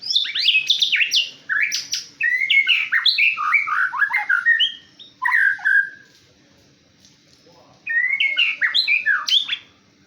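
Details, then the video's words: Male white-rumped shama in full song: rapid, varied phrases of rich whistles, chirps and slurred notes, two long bursts separated by a pause of about two seconds, loud and clear over near silence. "Murai Batu MH"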